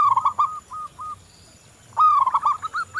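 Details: Local zebra dove in full song, used as a lure to encourage other doves to sing. A rolling coo with trailing clipped notes, then after a pause a second rising phrase breaking into quick, bubbling staccato notes.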